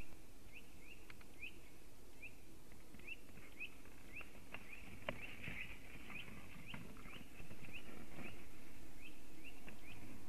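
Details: White-tailed eagles at their nest in Latvia, seen on a webcam on 26 February 2018 near 11:06 am as the male arrives for nest work and the female for mating; short, sharp, rising yelps repeat about three per second over low rumbling noise.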